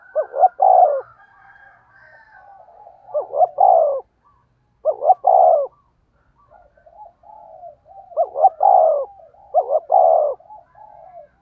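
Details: A spotted dove kept as a lure bird gives fast, earthy cooing: low, throaty coos in quick bursts of two or three notes, with a pause of a few seconds between phrases. The background is quiet.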